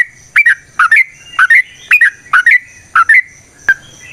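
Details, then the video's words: Yellow-vented bulbul singing long as a lure for other birds: paired bubbly notes, each a quick drop and upward flick, repeated roughly every half second with short gaps. "Trucukan GACOR ngalas ROPEL PANJANG suara alam AMPUH buat pancingan"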